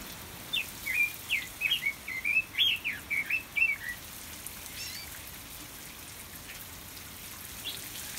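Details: Caged Red-billed leiothrix, or Pekin robin, singing in an aviary: a lively phrase of about a dozen clear, slurred whistled notes in the first four seconds, rising and dipping, then quiet hiss.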